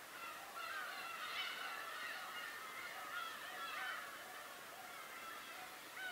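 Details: Many birds calling together on Tobishima: a continuous overlapping chorus of nasal, wavering mews over a hissing background.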